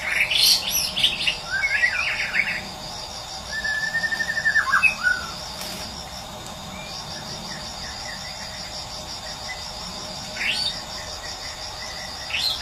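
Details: White-rumped shama of the Medan type, a morning lure from nature meant to get silent birds singing: loud whistled and slurred phrases in short bursts, with pauses between them, over a steady high insect drone.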